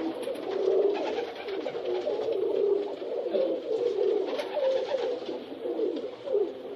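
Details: Several rock pigeons coo over each other in a steady, rolling low chorus of soft throaty burbles, with faint rustling wing sounds throughout.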